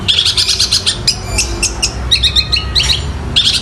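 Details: Vigorous song of a long-tailed shrike imitating sparrows fighting and a kingfisher: dense, scratchy high chirping and clipped squeaks in quick succession over a low background rumble.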